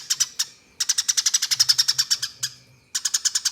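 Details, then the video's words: Eurasian tree sparrow in a rolling 'tembakan' fighting song, used to tutor contest birds: a long, fast run of shrill, metallic chirps, roughly six per second, that breaks off and then restarts in a new burst. "Tembakan Gereja Tarung Ngeroll Abis Untuk Masteran Burung Lomba"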